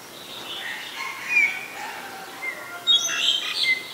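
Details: Black-collared starling in Ubon Ratchathani, Thailand, 25 December 2019, giving a varied run of high chirps, squeaky whistles and short slurred notes, growing busier and louder toward the end.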